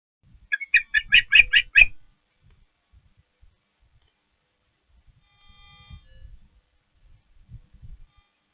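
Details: Osprey calling at Patuxent River Park Osprey Nest 1 while feeding: a quick burst of about seven high, squeaky chirps in just over a second, followed by near silence with faint low rustling and a brief soft tonal hum.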